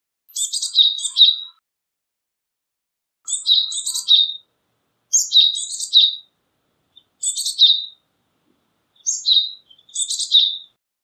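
A Japanese tit gives five bursts of high, buzzy chattering notes, each about a second long, repeated every two seconds against a quiet background.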